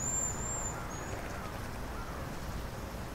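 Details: Cedar waxwings at sunset on a spring day, 4 April 2019, feeding in a flurry before night. They give thin, very high-pitched lisping whistles, a few quick notes early, over a steady low rumble.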